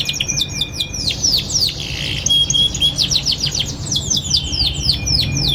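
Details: Young canary chirping as a teaching lure for other canaries: rapid downward tweets and short trills over a steady low hum, with a brief buzzy passage mid-way.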